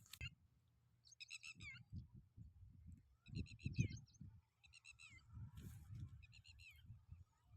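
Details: Unidentified bird calling in a village setting, moving off into the distance: short bursts of high, chattering harmonic chirps repeated about four times, each burst under a second, over low rumbling handling noise and faint background sounds.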